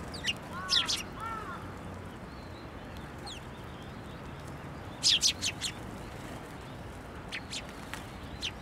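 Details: Sparrows at a shrine on January 22, 2024, flocking to a narrow post to be fed; clusters of high chirps at the start and middle, a few softer tweets later, low rumble behind.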